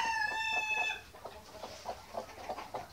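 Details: White Australorp chickens at mealtime: a drawn-out, tonal, harmonic squawk lasting about a second, followed by soft, irregular clucking in the background.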